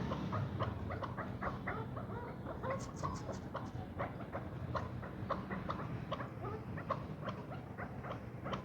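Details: Ten-month-old first-cross male chukar in captivity calling a dense run of short, clipped notes in quick succession, with scattered clicks and a low background rumble.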